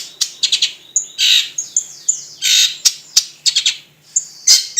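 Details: Long-tailed shrike giving a varied song: harsh, buzzy squawks mixed with sharp clicks and thin high whistles, bursts coming in quick irregular succession over a quiet background.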